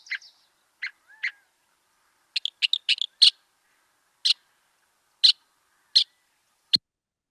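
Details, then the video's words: A Northern Mockingbird sings in early spring in Kentucky, repeating each phrase three or more times: bright, scratchy high phrases, including a quick burst of chirps and several near-identical notes about once a second. "so let's listen to that Northern Mocking Bird"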